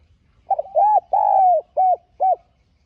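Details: Spotted dove lure bird giving a gọi-thúc style cooing phrase meant to stir wild doves: a quick stuttered double coo, a long drawn falling coo, then two short arched coos, all low and mellow.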